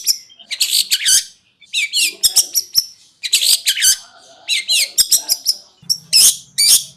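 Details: Long-tailed shrike konslet-style master song: clusters of quick slurred chattering notes and scratchy phrases, repeated with short gaps, and a low hum near the end.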